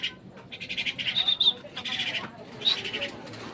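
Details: Myna kept as a pet, calling as it is fed: rasping, buzzy bursts with a thin whistled edge, three main outbursts over a few seconds.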